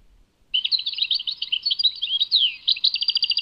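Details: Goldfinch (European) song from Tadmait. After half a second of quiet, a dense, varied warble of twittering notes begins, with one clear downslurred whistle near the middle. It ends in a quick, even trill.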